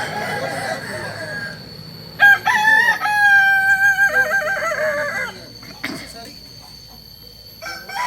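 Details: Kokok Balenggek cock from Solok, West Sumatra, a local chicken breed whose crow rises in tiers of three to nineteen steps. A loud crow holds level notes that drop in distinct steps for about three seconds. Fainter crowing comes before and after.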